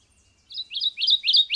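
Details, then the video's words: Subalpine warbler (Sylvia cantillans) singing: after a short quiet start, a quick burst of about five high, scratchy notes on a steady pitch, each sharply rising or falling, delivered in a fast, slightly stuttering warble with no other clear sounds. "Canto da AveToutinegra carrasqueira (Sylvia cantillans)"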